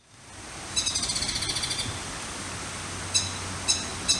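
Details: Crested kingfisher in the mountains of Nara, Japan, on 30 May 2016, near a female parent bringing food to four fledglings: a quick, harsh rattle of about a dozen high notes, then three single sharp calls spaced well apart, over a low outdoor rumble.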